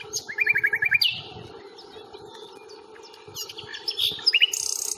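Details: Fingringhoe reserve, 1 May, Panasonic Lumix FZ82 recording: a nightingale opens with a rapid run of about eight repeated notes, goes quiet, then adds scratchy high notes and another quick repeated burst.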